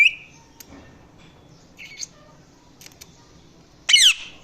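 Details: Indian ringneck parakeet, a pet talking parrot, giving a short high whistled note, faint scattered chirps, then a loud harsh squawk with a descending buzzy tail near the end, in a quiet room.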